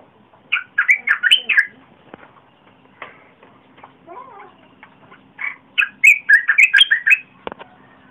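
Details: Red-whiskered bulbul, recorded 30 April 2021 as a lure for wild birds and for young birds to learn: two bursts of rapid, rich warbling notes, separated by quieter ticks and a low chirring in the middle.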